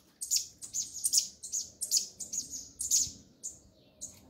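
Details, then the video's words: A coleiro (Double-collared seedeater) giving the 'mexida do grego' song style, a steady run of about a dozen short, bright, very high chirps, roughly three per second, trailing off at the end. "CADA COLEIRO TEM SUA MEXIDA Essa é a do grego"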